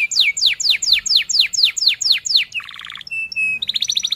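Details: Canary singing a fast, tight rolling song used to teach young canaries to sing: nine sharp descending whistled sweeps at a steady quick pace, then a buzzy rattling phrase, short high pure notes, and a closing rapid trill.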